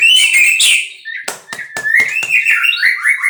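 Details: Captive-bred white-rumped shama with bright whistled phrases, a wavering sustained whistle, and several sharp clicks in between.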